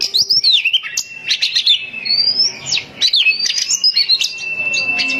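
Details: Female Oriental magpie-robin kept at home sings to attract males: bright falling and rising whistles, drawn-out slurred notes and clustered chips in bursts, over a faint steady high tone.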